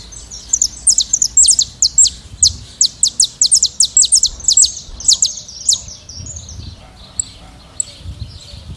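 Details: Saffron finches, a free flock in nature, singing: a quick series of loud, high, downslurred chirps for about six seconds, then only a few faint isolated notes.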